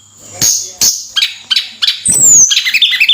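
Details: Tledekan flowerpecker giving a few sharp ticks, then a long thin whistle sliding downward, ending in a rapid bubbling run of high chirped notes.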